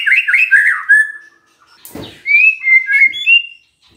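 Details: Magpie-robin song used as a lure to make a silent bird answer: a run of rich whistled, warbling notes that fades out, a sharp click-like burst, then a brighter, higher whistled phrase.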